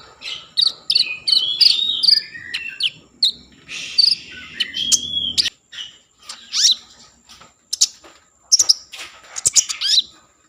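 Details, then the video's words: Common iora in full lively song, used as a lure to stimulate breeding mood and singing in other ioras: quick bright whistles and sweeping chirps in bursts, with several short pauses and sharp rising notes near the end. "Konin gacor Mambangkit kan Birahi || pancingan konin agar bunyi"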